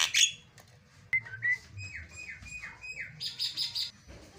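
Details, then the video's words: Javan myna (jalak kebo) song for training other mynas, with 'isian' fill phrases: whistled notes that bend up and down, some falling in pitch, followed by brief buzzy chatter near the end. "KICAUAN JALAK SUPER MANTAP"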